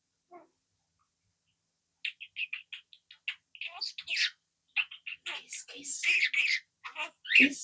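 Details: A baby budgerigar chatters in a rapid, high, scratchy voice, running imitated words together in quick bursts, including swearing.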